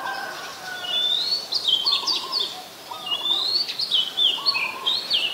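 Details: Oriental magpie-robin in song at Ubon Ratchathani, Thailand, 14 October 2021, Nikon P1000: rich, varied whistled phrases sliding up and down, rapid trills and sweet notes with lower warbled motifs repeating, continuous for several seconds over faint background hiss.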